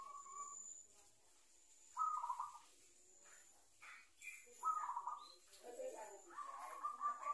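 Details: Young zebra dove, caught wild by the owner, learning to coo and now starting to coo more often; three short, trilled cooing phrases with a soft, wavering quality, separated by pauses, faint against quiet background voices.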